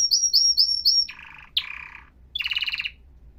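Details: Atlantic canary song that moves from quick high whistled notes into a low buzzy trill, then a sharp note and a second rattling trill at a higher pitch, with short pauses between phrases.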